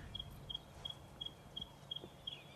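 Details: A Neddicky (Cisticola fulvicapilla) on a sunrise game drive, 2 December 2016, after overnight rain, gives a dry, high, steady ticking call. One or two quick ticks come roughly every third of a second over a low background rumble.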